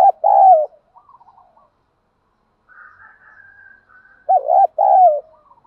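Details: Spotted dove, male and female, used as lure calls to stimulate caged birds in training; low cooing phrases of a few notes near the start and again after four seconds, with faint higher warbling between.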